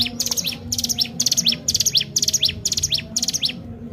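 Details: Spirited Sunda warbler song for stimulating other birds. Bright high chirp bursts with rising sweeps repeat about twice a second and fade out near the end, over a soft low hum.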